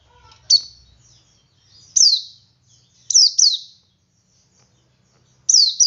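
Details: Male Oriental white-eye singing in the ngalas style to prompt other white-eyes to join in: high, thin, sweet downslurred notes, single or paired, spaced irregularly every one to two seconds.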